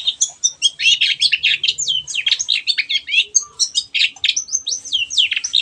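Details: Long-tailed shrike in vigorous song, used as a lure to prompt stalled birds to sing: a dense, nonstop run of high chattering, scratchy notes and quick whistled slurs.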